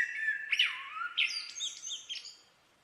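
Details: Common blackbird song: a low, mellow fluted phrase that dips and rises, followed by squeaky, high twittered notes that fade out, with a faint hiss behind.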